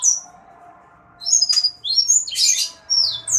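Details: Sanger bird singing energetically: sharp, high chirps and short slurred whistles in quick bursts, separated by brief pauses, with a faint low hum underneath.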